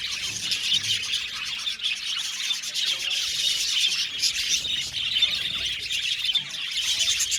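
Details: An aviary full of budgerigars keeps up a steady wash of bright chirps and chattering warbles, layered and unbroken throughout.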